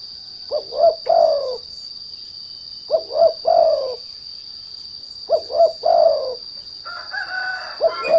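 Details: Spotted dove kept as a lure to draw song from untrained doves, giving three repeated coo-coo-croo phrases roughly every two and a half seconds, each ending in a drawn-out falling note; a brighter chirping sound near the end, constant high whine behind.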